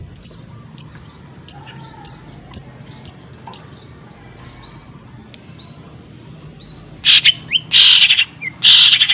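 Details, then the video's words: Long-tailed shrike singing copied phrases, used as a training song for other birds: sharp, high ticks repeated roughly every half second, then loud, harsh, rasping bursts near the end. "CENDET ISIAN TENGKEK BUTO SPEED RAPAT SAMBUNG GREJA SAMBUNG KUNTI, cocok buat masteran segala burung"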